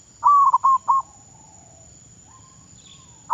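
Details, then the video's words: Caged decoy zebra dove in training, Thailand, gives one quick phrase of four bright trilled coos, then near silence with a faint distant bird note, another phrase starting at the end. "Baru Bela jar mengenal burung perkutut..Thailand ฝึกซ้อมนกต่อเขาชวา เพื่อนไทยและมาเลเซีย รับฟังเสียง"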